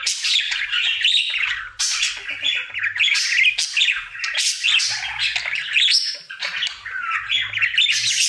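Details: Dense, unbroken chattering warble from a pet male budgerigar singing happily in his daily routine, mixing squeaks, buzzes and clicking notes with small whistled slides, faint low hum beneath.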